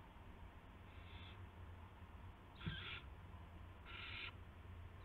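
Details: Owl on a live camera feed, evening of March 18 2016 at 8:00 PM, as a gopher is brought in: three breathy, hissing bursts about half a second long, spaced roughly a second apart, over a steady low hum.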